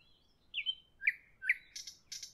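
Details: Nightingale singing in the evening: a brief phrase of a high whistle, two sharp downslurred notes, then two short buzzy rattling bursts, in a quiet setting.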